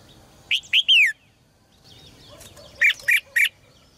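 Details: Caged red-whiskered bulbul, song to make males sing strongly: three rich slurred whistles descending in pitch, silence, then three sharper, harsher notes in quick succession.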